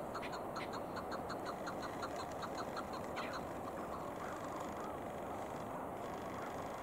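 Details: During a chukar hunt, a quick string of clipped chuk calls fills the first half, ending with a louder note near three seconds, then mostly steady hissing noise.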